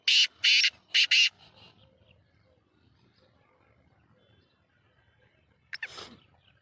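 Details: Sheedi-type black francolin, known locally as kala teetar, gives the close of its call: three rasping, buzzy notes in rapid succession, then quiet with a single brief noisy burst near the end.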